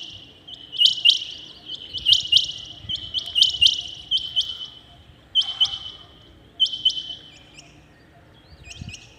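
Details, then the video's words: Rain quail calling in the early morning, a long run of sharp paired notes repeated at a steady beat roughly every second, strong at first and then easing, with faint low noise. "Rain quail calling 2021 | common quail calling early in the morning | چنگھا بٹیر کی زبردست آواز"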